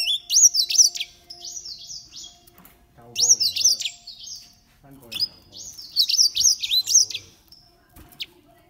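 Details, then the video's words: Green singing finches, aged thirteen years, sing three bursts of sweet, high, rapidly looping whistled notes and trills, each about two seconds long, with softer low chattering between phrases. "Green singing finches"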